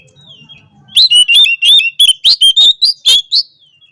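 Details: Oriental magpie-robin (kacer) in full lively song meant to call out and anger rivals; a dense string of loud, clear whistled notes mixed with sharp clicks and chirps, roughly ten quick phrases in under three seconds, then a fading whistle.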